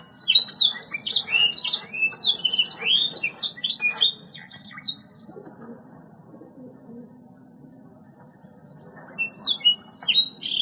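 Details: Canary in vigorous gacor song, delivering fast runs of high sliding whistles and chips. It quiets for several seconds before restarting with more bright twittering notes. A low steady hum sits underneath.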